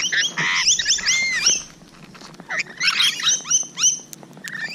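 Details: Rainbow lorikeets at close range, morning of 12 June 2017, making sharp, slurred whistles and shrill chattering notes in quick bursts, with a quieter lull in the middle.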